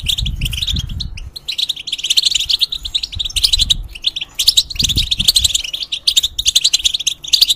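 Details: European goldfinch in a cage, moulting, serving as a model singer for hybrids: lively bursts of tinkling, scratchy twitters with short breaks, accompanied by dull thuds at low pitch.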